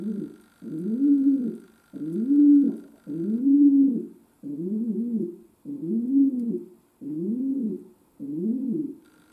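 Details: Domestic pigeon kept as a pet, giving a long run of eight low arched coos indoors, repeated about every 1.2 seconds, with a steady camera hum at times.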